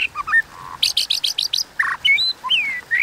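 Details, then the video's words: White-rumped shama singing in a provoked fighting bout: short whistled slurs, then a quick series of six harsh buzzy notes, and finally looping rising and falling whistles. "Kích Chòe Lửa Hót Đấu Kéo Thuốc Lào"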